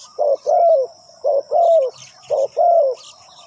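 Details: Captive decoy spotted dove calling wild birds: three paired phrases, each a short coo followed by a longer, slightly falling coo, spaced about a second apart over a steady high insect-like whine.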